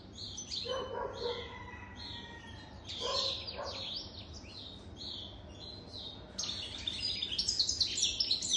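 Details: Goldfinch older than three years singing: high twittering bursts alternating with lower, softer nasal notes early on, then an energetic run of rapid, sharp chirps and trills in the last two seconds.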